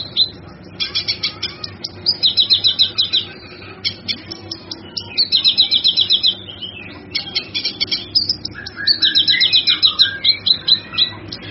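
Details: Cucak kinoi in lively, full song, as a tutor recording: repeated fast high trills separated by chirps and descending whistles, about four bursts across the stretch.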